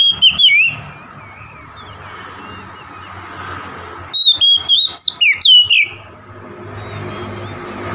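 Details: Oriental magpie-robin singing to provoke a rival: a short whistled burst opens, a long quiet stretch with faint background hum follows, then a rapid run of bright, twisting whistles.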